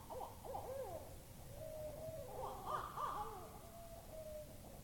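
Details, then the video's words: Owl making a lot of noise in Topsham, Maine, on 25 September 2015: a jumble of wailing, sliding hoots and whinnying notes rising and falling, over a steady background hiss. "Cool Owl making noises"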